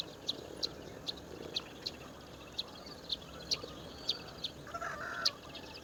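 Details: Indian roller chick in the woods, begging: short, sharp, high-pitched notes repeated about every half second in a steady series over a constant background hiss, with a brief buzzy note near the end.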